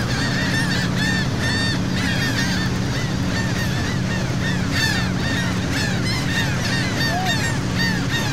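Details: Gulls calling over the sea at Saint Martin, Cox's Bazar, Bangladesh, heard from a boat: many overlapping arched, nasal cries from a busy flock, with a steady low boat-engine drone throughout.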